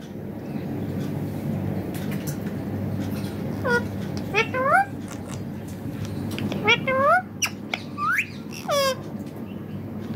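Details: Pet green ringneck parrot talking back to a mobile phone. Over a steady low hum, it gives short bursts of rising, nasal, harmonic squawks between four and nine seconds, in clusters of two or three, with a few sharp clicks.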